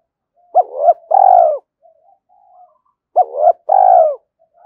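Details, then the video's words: Spotted dove decoy cooing to draw wild doves in for a fight: two paired phrases of a wavering coo and a long buzzy descending coo, with soft faint notes in the pause. "tiếng cu gáy thúc Đấu và gáy gọi bổi rừng nghe rất nhanh về cội"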